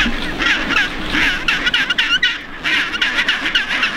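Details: Chinstrap penguins (Pygoscelis antarcticus) in a colony on Half Moon Island, South Shetland Islands, near Antarctica: harsh, braying calls overlap in rapid pulsed bursts over a steady wash of background noise.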